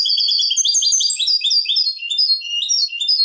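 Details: Malaga-style copla of a Eurasian goldfinch, known as Manolo, recorded as a tutor song for goldfinch and hybrid chicks. A continuous bright twitter of fast, overlapping high chirps and trills, with no pause and no other sounds.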